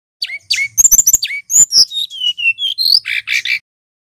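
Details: Male brown-chested jungle flycatcher from Bali, singing loudly and clearly in long phrases; a rapid run of sharp high chirps, then clear whistled notes sliding down and rising, ending in buzzy rasping bursts.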